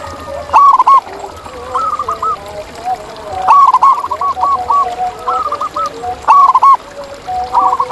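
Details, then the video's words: Natural recording of wild zebra doves: several overlapping cooing phrases of short arched notes, a loud lead bird repeating bubbly runs while another dove coos at a lower pitch beneath. "Ini Dia Suara Asli Perkutut Liar di Alam!"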